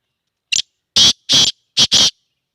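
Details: Black francolin in Sindh, Pakistan: harsh, grating bursts in a short phrase, one brief note then two longer ones, then a quick note and a longer one, loud and close, with silence between.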